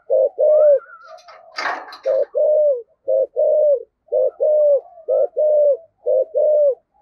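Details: Spotted dove in 'giọng thổ' style, with urging coos used to draw wild doves into answering. Six paired phrases, each a brief note followed by a sustained, gently falling coo, in steady rhythm. A short noisy burst, like rustling, sounds early on.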